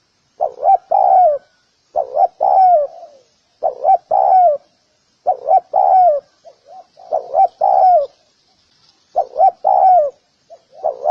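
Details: Steady series of spotted dove calls, six phrases of two or three clipped coos ending in a longer, descending one, repeated every one and a half to two seconds, with a couple of softer notes in the gaps.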